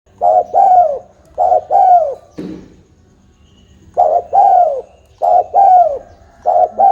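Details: Tame spotted dove giving repeated cooing phrases: low, mellow hoots in groups of three, the last note longest and falling, phrase repeated after a pause; a brief rustle in the middle.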